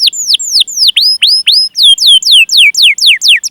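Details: Canary in a training recording used as a lure to prompt other canaries to sing, with long 'cuit cuit' chirping calls and rolling phrases: a clean series of loud, high descending whistled sweeps, about four per second, quickening and sliding lower toward the end.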